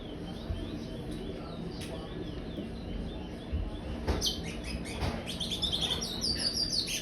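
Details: A five-month-old young chestnut-bellied seed finch, brown-plumaged, kept in an aviary, sings in the praia style: quiet at first, then from midway a run of bright, high chirps and short whistled notes over a steady low hum.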